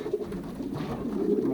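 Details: Indoor loft of young racing pigeons pairing, 2023 season, Poland; a continuous chorus of soft, low, bubbling coos from several birds.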